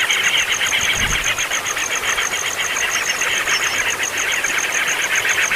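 Nestling birds keep up a continuous, rapid chatter of high, scratchy begging calls, about four per second, over a steady high-pitched ticking.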